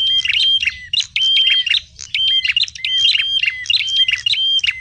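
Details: Small birds chattering for a trapping lure: bright, high twittering notes and flat whistles in quick bursts roughly every second, low hum in the background.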